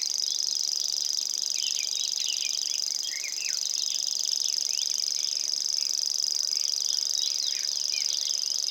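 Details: Common grasshopper warbler singing in Estonia: a continuous, high, insect-like reel holds one steady pitch throughout, while other birds add scattered chirps and short slurred whistles lower down.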